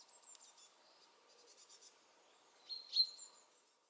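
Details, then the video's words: A very territorial Eurasian wren sings from a small rocky mountain spot where a long-tailed lizard sits: fast, very high trilled notes, then a louder, piercing phrase near the end, over a faint low hum. "Chochín cantando"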